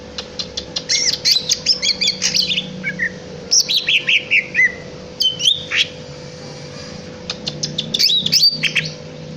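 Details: Greater green leafbird singing a lively medley of rapid chirps, descending whistled slurs and harsher squawk-like notes, repeated in quick bursts with short pauses; low steady hum in the background.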